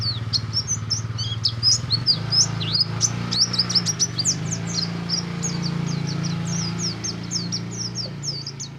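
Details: Oriental white-eye song meant to spur other white-eyes into singing: dense run of sharp, high, rising and falling chirps, several overlapping, with a constant low motor hum underneath.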